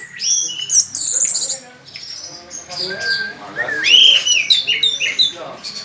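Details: Orange-headed thrush, a loud contest bird, singing a rich, varied song of high whistles, sweeping slurred notes and chattering phrases, with a brief quieter pause midway before fast, bright phrases resume.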